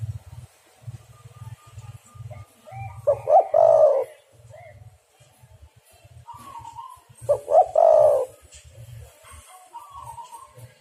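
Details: Derkuku, the spotted dove, cooing as a lure to make other doves call and trap them: two phrases about four seconds apart, short double notes then a drawn coo, amid low pulsing noise and faint higher chirps.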